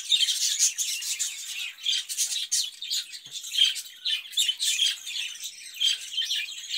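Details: Caged budgerigar giving lively rapid chatter, squeaky chirps and harsh little squawks in pulsing bursts throughout.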